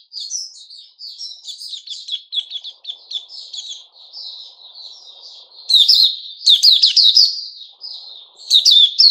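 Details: Sooty-headed bulbul in a cage, recorded 10 July 2021, giving a long, rambling twittering song of short scratchy notes, breaking into louder chattering bursts around six and eight seconds.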